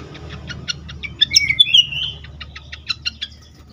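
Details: Fantail, agitated, gives an even series of soft ticks broken by a brighter wavering whistled phrase, over steady low background noise.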